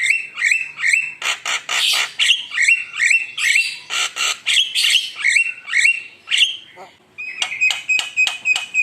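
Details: Javan myna lure song, used to make rival birds agitated: dense stream of scratchy rasps and short whistled slurs, steady and loud, ending in crisp ticking notes with a thin sustained whistle.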